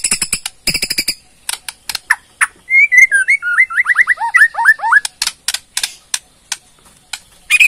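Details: White-rumped shama of Borneo giving ketrekan rattles and song: rapid clicking bursts, then a descending cascade of quick slurred whistles, followed by more loud irregular ticks.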